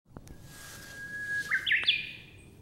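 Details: Japanese bush warbler singing in spring on Mount Takao, on the descent from Kobotoke Pass, 14 April 2014. A long, steady whistled note is followed by a quick, jerky, rising flourish.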